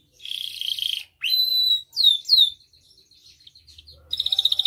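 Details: Canary song used as a master and lure: short phrases of buzzy trill, a flat sustained whistle, two swept whistles, then soft chatter and a quick buzzy trill at the end.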